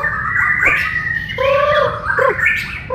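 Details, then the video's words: Borneo white-rumped shama in a shared training session, giving a busy string of mixed whistles and short down-slurred notes, with several overlapping tones sounding at once. "LATIHAN BERSAMA BURUNG MURAY BATU BORNEO"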